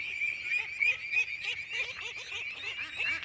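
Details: Free-ranging flock of domestic ducks, young and grown together, roaming a hillside in the Brahmaputra valley; quick nasal quacks repeated about three times a second, overlapping from several birds, over a steady shrill high-pitched background.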